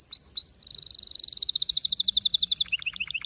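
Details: Canary song: a few rising whistled notes, then a long sustained buzzy trill that breaks into a fast run of repeated chirps, ending in quick bouncy falling notes. Background is quiet.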